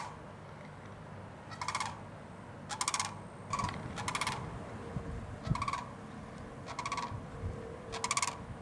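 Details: A visiting sandhill crane at Winding Waters Natural Area, West Palm Beach, Florida, in January, gives loud, rolling, rattled calls in about seven bursts, roughly one per second, over a steady low rumble of wind or distant noise.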